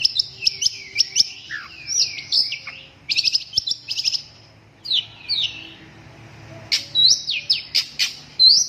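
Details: Long-tailed shrike (cendet) song: bursts of sharp, high chips and quick downslurred whistles, a brief hum-like pause near the middle, then renewed rapid whistled notes with upward flicks toward the end.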